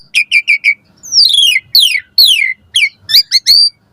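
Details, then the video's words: Asian pied starling singing in the morning: a lively caged-bird song of quick, repeated high chirps followed by loud, clear whistles that slide downward, then sharp upward-flicked notes, with no other sounds. "Pancingan Jalak Suren Gacor Pagi Hari"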